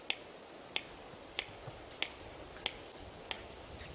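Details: Red-crested korhaan (Lophotis ruficrista), a female without raising her crest, gives sharp dry beak-clapping clicks about one every two-thirds of a second in a steady series, at sunrise in mating-display season, before a "suicide" display dance; quiet background.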